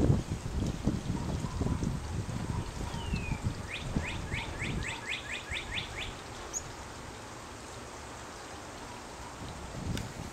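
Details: Chickadee parent feeding its chick, which had a cowbird nestmate; one falling note followed by a rapid series of about nine rising chirps, over low rumbling noise and handling sounds.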